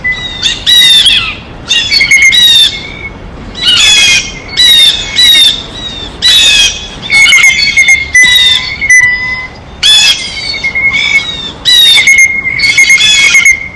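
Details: Blue jays at a feeder, feeding, repeat loud harsh nasal squawks in bursts about a second apart, separated by brief pauses, over a constant high thin tone.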